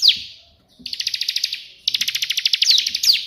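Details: A bar-winged prinia delivers its 'tembakan' burst song, recorded as training material: a downslurred opening note, then two long, evenly pulsed trills of high buzzy notes, ending with quick sweeping slurs.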